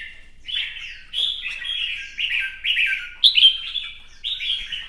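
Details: Red-whiskered bulbul, captive, fresh-plumaged, gives competitive song with spread-feather display: clear string of short, descending slurred whistles, each phrase about half a second, one bright ringing note in the middle.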